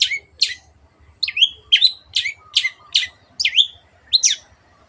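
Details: A Long-tailed shrike, or cendet, sings energetically in a clear voice, recorded as a model for caged birds to copy: a steady run of about nine scratchy, down-slurred notes, some with twisting swoops, over a soft low hum.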